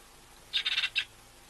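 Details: One of a resident pair of African hawk-eagles at its morning bath at Ol Donyo, 12 November, on a live cam: a quick burst of four or five high, shrill yelping notes, then one sharp note after a pause; otherwise quiet.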